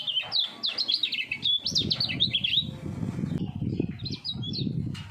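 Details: Three-year-old common iora, a hopeful contest songbird, singing fast with a 'double voice': rapid chains of high warbled, whistled notes swooping up and down, briefly pausing, then resuming more softly over a low background rumble.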